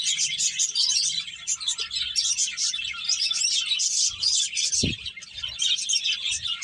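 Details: Finches eating and playing fill the air with fast, overlapping high tweets in an unbroken chatter; a single low thud sounds partway through over a faint hum.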